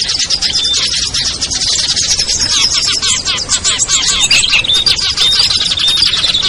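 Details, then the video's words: A lure mix of small birds (ciblek, kutilang, trucuk, sogon, perenjak) for drawing birds down: nonstop high-pitched twittering from many callers, with short whistled notes appearing more often in the second half. "SUARA PIKAT BURUNG KECIL burcil AMPUH"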